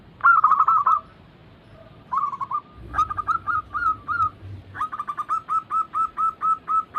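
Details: Zebra doves sing in a lure recording for slow-to-sing birds: a quick bubbly phrase, a pause, then evenly spaced, slightly rising whistled coos repeated about three times a second.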